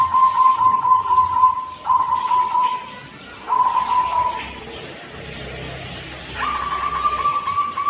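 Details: A young local zebra dove from Blora gives soft, drawn-out cooing notes, each about a second long, with short pauses between and a slightly higher final "kung" phrase.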